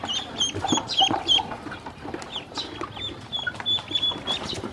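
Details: A group of hungry baby ducks calls as they are fed and given water; high thin peeps, some sliding downward, come in quick irregular bursts over faint background noise.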